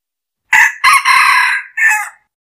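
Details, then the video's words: A red junglefowl used as a decoy crows once: a clipped, four-part crow, harsh and ringing, the long middle note held before a short final syllable. "Tiếng gà rừng mồi"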